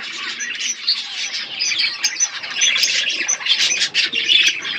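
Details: Budgerigars chirping in a relaxed group, high scratchy chatter with sharp tweets scattered across the stretch.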